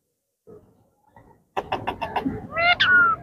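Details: Pet Indian ringneck parakeet from a yellow, blue and green group utters faint murmurs, then a rapid burst of around six staccato syllables ending in a harsh falling squawk, against steady low room noise.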